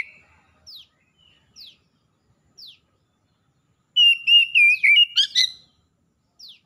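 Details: Wild and domestic Oriental magpie-robins calling back and forth in full song: scattered thin downslurred notes every second or so, interrupted by one short, loud burst of wavering whistles and a harsh final flourish.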